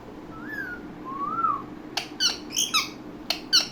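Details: Talking Indian ringneck parakeet: two soft rising whistles, then short sharp clicks and raspy squawk-like syllables in quick bursts near the end.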